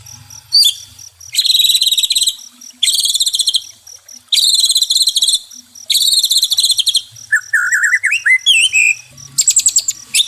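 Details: Singing white-rumped shama, played as therapy for stressed caged birds: repeated bursts of dry, buzzy, rattling high notes about a second long, broken by a short run of clear rising whistles.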